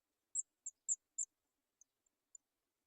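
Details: Three Sooty chat nestlings waiting for food give short, very high thin begging notes: four quick ones in about a second, then a few fainter, scattered peeps against silence.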